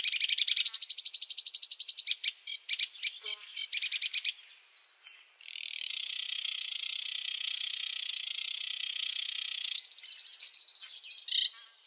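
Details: Sedge warbler song mixing fast rattling trills with a long, steady buzzy section lasting about four seconds, followed by a bright high trill and short chirps.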